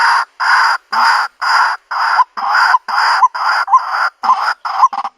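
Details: A White-breasted Waterhen, its sound used for bird trapping in the countryside, gives harsh croaking notes about twice a second in a steady, monotonous series. No other sounds stand out.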